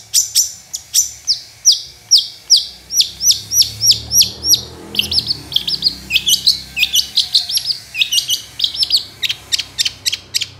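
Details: Long-tailed shrike in full song, used as a lure to get reluctant shrikes singing: quick series of sharp, high, clipped chirps about twice a second, growing into a denser, faster chatter near the end.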